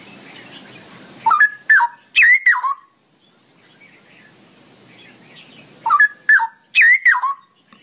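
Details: Straw-headed bulbul, known in Indonesia as cucak rowo, singing a long ropelan-style song: loud, bubbling, liquid phrases of falling whistled notes in two bursts separated by a quiet pause.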